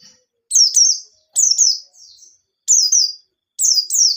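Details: White-eye singing a gacor, ngalas nembak style lure song meant to get other white-eyes singing: high, sharp double notes that slide downward, given in short bursts with brief pauses and one softer trailing phrase, against a clean, quiet background.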